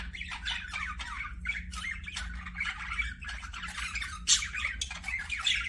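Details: Pet budgies chirp and warble in a steady chattering flow, scratchy squawks mixed with quick rising notes and one sharp burst after four seconds, low hum behind.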